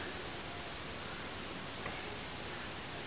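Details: Constant static-like hiss across all pitches, with no animal voice audible.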